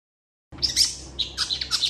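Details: Long-tailed shrike in full song, kept as a tutor recording for contest birds and said to copy cats and chickens; after half a second of silence, dense shrill chattering phrases and squeaky high notes follow quickly.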